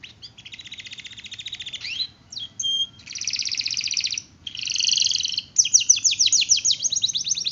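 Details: Gacor canary training song with long rolls, with alternating sections of fast pulsed trills broken by short pauses, ending in loud, quick descending sweeps.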